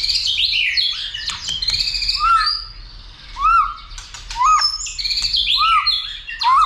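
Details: White-rumped shama roused to sing and fight; busy high twittering at the start, then repeated short upward-and-down slurred whistles about once a second among scattered chips.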